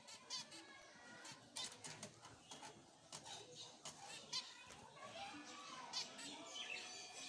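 Zebra finches give short, nasal beeping calls amid fluttering wings and faint voices.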